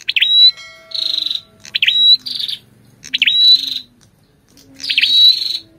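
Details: Ashy tailorbird song mixed with the female's calls: V-shaped swooping notes trading with loud rasping buzzes in a lively back-and-forth, with a faint low hum beneath.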